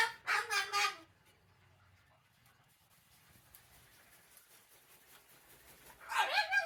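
An umbrella cockatoo gives two raspy, voice-like coughs, one at the start and one at the end, with a quiet room in between.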